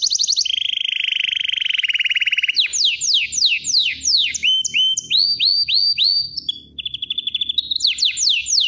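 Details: Canary in full song: a long, fast, buzzing roll, then swooping descending whistles, upslurred notes and a steady trill, delivered without pause.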